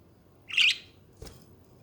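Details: A chatting budgie utters one buzzy, scratchy chirp of about a quarter second, followed shortly by a soft dry click, with quiet room noise behind.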